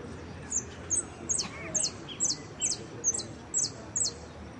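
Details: Jilguero singing in a competition, Blanco de Repique category of the Copa Federación: evenly spaced, very high, thin chirps, roughly one every half second, with faint lower slurred notes beneath and a steady background hum.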